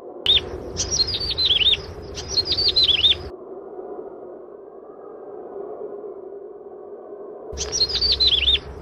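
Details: Albino yellow-bellied prinia in grass or bushes: loud bursts of five or six rapid, descending mewing notes from high to lower pitch, two bursts close together, a pause with low steady hum, then another burst.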